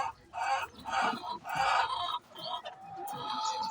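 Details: Chicken calling before laying eggs: loud harsh squawking bursts in quick succession, then a thinner drawn-out tone with other fowl faintly behind.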